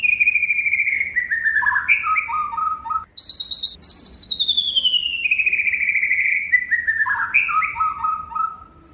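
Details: White-rumped shama singing clear whistled phrases: long smoothly descending notes stepping down into short warbled figures, repeated twice, with a higher bright whistle between them.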